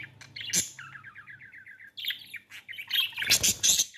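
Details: Budgerigars during mating time: a quick run of about ten short, rising chirps, then harsh scratchy squawks and warbles, all high-pitched, with faint low hum behind.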